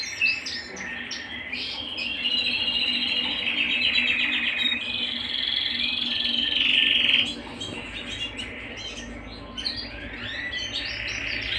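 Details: Canary at home singing a continuous, loud, rolling song of rapid trills and sustained whistled notes, with brief chattering phrases before and after.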